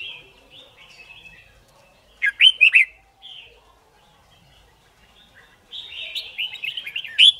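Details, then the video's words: Red-whiskered bulbul giving competition song to train birds: soft whistled phrases, a sharp burst of three or four loud liquid notes, a pause, then a long rising, chattering warble ending in a bright high note. "Chào Mào Hót Đấu"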